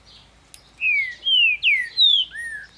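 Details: Captive-raised green-winged saltator in Ribeirão das Neves, Minas Gerais, Brazil, singing heavily, opening its song: a phrase of five clear, loud whistled notes, mostly slurred downward, with a quiet background.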